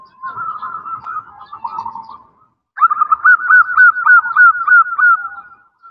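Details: Female zebra dove calling to a male: a rapid series of soft, cooing notes that quaver up and down at mid pitch. The series repeats after a short pause, with a steadier, more evenly pulsed run.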